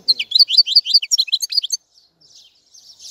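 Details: European goldfinch song: a quick run of high twittering, tinkling notes for nearly two seconds, then fading to faint hiss.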